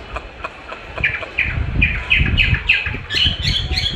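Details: Chinese hwamei responding to its own song played back for training; a series of short, sharp whistled notes repeated about three times a second, growing louder, over low rumbling background noise.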